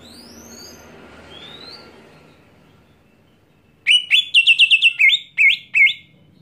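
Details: Greater green leafbird screaming to provoke other leafbirds: after about four quiet seconds with faint high whistles, a loud burst of rapid repeated sharp chirps, about ten notes with brief pauses.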